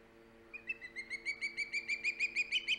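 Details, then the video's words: Osprey at the nest on Hog Island, 3 September 2019, calling loudly: a rapid series of sharp, high whistled chirps, about a dozen notes rising slightly in pitch and getting louder, with a steady low hum beneath. "Halley, loud and proud! Hog Island Ospreys."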